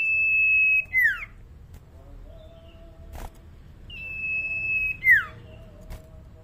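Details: Young common iora, still tame, with a voice still quiet: a long, flat, high whistle held for nearly a second, then a quick falling slur. The phrase is given twice about four seconds apart. Faint clicks sound in the background.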